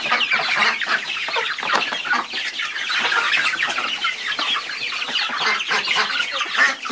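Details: Chickens in a busy flock, many overlapping short clucks and chirpy calls packed densely together, a steady unbroken chatter with no crowing.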